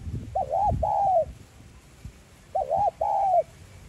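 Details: 'Giọng son' spotted dove call used to rouse a decoy bird: two identical phrases about two seconds apart, each a short curled note then a longer smooth coo, with low background rumble.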